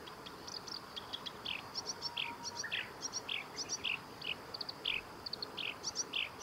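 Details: Black-browed reed warbler song recorded 23 July 2021 at the Kita-Fuji training area in Japan: paired ticking notes alternating with short downward-slurred buzzy phrases, repeated roughly every half second against faint background hiss.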